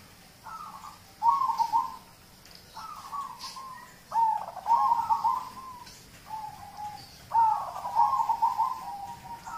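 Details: Local Zebra dove song used to prompt other birds to sing: soft low cooing phrases, each opening with a short note then a bubbling trilled coo, repeated about every two to three seconds.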